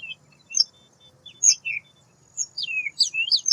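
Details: Scattered sharp chips from a white wagtail build into a run of slurred descending whistles and twitters, over a faint low hum.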